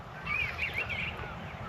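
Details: An Eastern Bluebird, heard close by at a camp in Wildwood WMA, eastern Nebraska, with a front passing through, gives a few soft, warbled notes over about one second, with a low rumble of wind or distant traffic behind.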